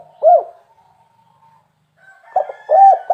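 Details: Spotted dove of the rare 'kuk 3' style: one low arched coo, a long quiet pause with a faint thin tone, then two more mellow coos, the last one swelling loudly.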